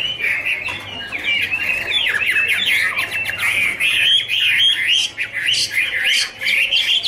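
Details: Chinese hwamei (Garrulax canorus) singing in a dancing duet with fluttering wings, a rich continuous warble of sliding, looping whistled notes with quick rising and falling phrases.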